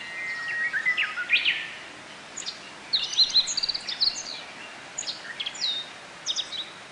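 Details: Japanese white-eyes at bottlebrush blossoms, feeding on nectar in a botanical garden in Kobe, Japan, June 2018; a quick burst of high chirps opens, followed by scattered thin tweets and short trills against soft ambient hiss.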